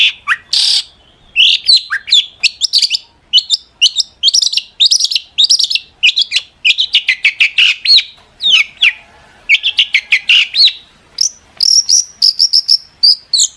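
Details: Long-tailed shrike singing with full intensity as a lure to provoke other shrikes into replying; a long, rapid string of high, clipped chirps and short whistles, almost without a break.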